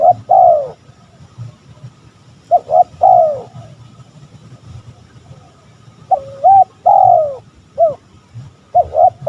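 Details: Spotted dove calling to provoke rivals: repeated cooing phrases, each two short coos then a longer descending coo, separated by pauses of a few seconds, over a steady low hum.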